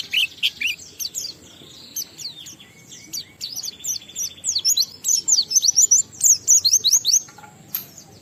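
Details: Oriental white-eye performing ngalas song with riwikan fill-in material, meant to prompt other white-eyes into singing: a long, dense, fast twittering run of high sweeping notes that builds toward the end.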